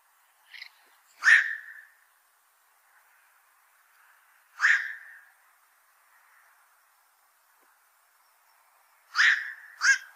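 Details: Black-crowned night heron giving harsh, barking 'quok' calls, single or in quick pairs, spaced several seconds apart against a quiet background.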